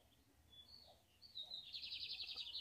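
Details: A kept ultramarine grosbeak sings in a backyard at 9 a.m., a few thin, high whistled notes, then a fast, rich warbling phrase over a faint low background hum.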